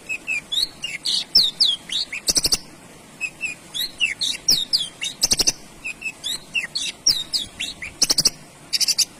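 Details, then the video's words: Male Javan bush lark in continuous song: quick jumbled whistled phrases of rising and falling notes, with dry rattling click bursts inserted every two to three seconds. "Suara Branjangan Jantan"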